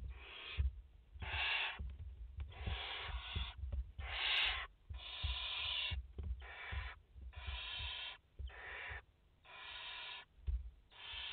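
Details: Live nest recording of a barn owl mother and her four chicks in France, 30 August 2021: about nine rasping, noise-like hisses, each near one second, in quick succession, with knocks and shuffling underneath.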